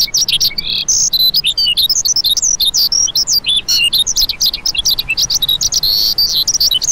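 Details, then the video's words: Unbroken, high-pitched lark warbling: quick chirps, buzzy trills and rising and falling whistled notes run together at a hurried pace for the whole stretch. "Lark Calling Sound"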